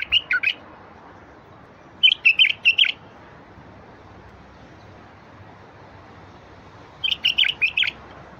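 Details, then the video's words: Bulbul song meant to get quiet wild bulbuls singing: bursts of three to five rich, gurgling whistled notes, phrases spaced a few seconds apart with soft background hiss in between. "تغريد لفتح البلابل الوحشية الساكتة"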